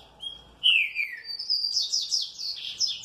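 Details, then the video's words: Well-kept green-winged saltator answering with joy: a clear whistled note, then a descending slurred whistle, followed by a run of quick high chirping notes climbing and repeating. "TRINCA FERRO MANDRAKE BEM TRATADO RESPONDE COM ALEGRIA"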